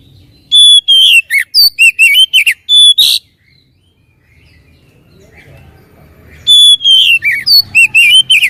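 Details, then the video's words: Oriental magpie-robin song, used as a lure to make a reluctant bird sing back: loud whistled phrases starting with a long steady note, then rapid rising and falling slurred notes, repeated in two bursts separated by several seconds of near silence. "PANCINGAN BURUNG KACER MALAS BUNYI DIJAMIN NYAUT"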